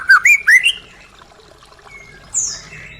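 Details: White-rumped shama, used to encourage a caged bird to resume singing: three quick, loud, rising whistles, a quiet gap, then a faint high thin note.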